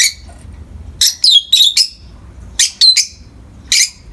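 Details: Peach-faced lovebirds, a pair of pets, in the morning light giving shrill chattering chirps: one burst, then a rapid run of four, a pause, three more, and a final sharp squeak.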